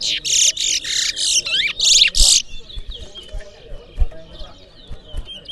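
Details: At a Berbice singing contest, a towa towa seed finch pours out a string of loud, buzzy high bursts for over two seconds, then thinner twittering notes, with background thuds and faint music.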